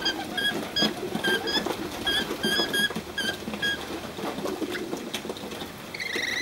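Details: A pair of free-flying, befriended Rainbow lorikeets visits Cromer, Sydney, in the afternoon, giving quick squeaky chirps in rapid bursts, with a shriller rising note at the end, over soft pattering and rustling.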